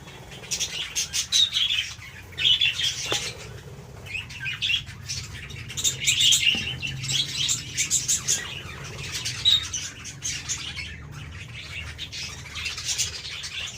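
Budgerigars chatter together in a busy flock, a steady wash of high chirps and warbles with wingbeats.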